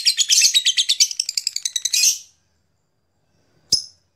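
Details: A Lilian's lovebird gives a shrill "ngekek" chattering run of rapid, harsh high chirps for about two seconds, then a single sharp squeak after a pause.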